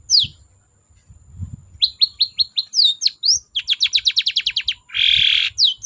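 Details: Lively long-tailed shrike song intended to coax quiet birds into singing: sharp downslurred whistles, a rapid series of short evenly spaced chirps, a fast run of about ten clipped notes, then a harsh buzzy rasp and more whistles.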